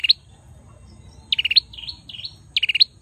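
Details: A male bar-winged prinia delivers fast trilled bursts of pulsed high notes, each followed by two dipping whistles, the pattern repeating about every one and a quarter seconds.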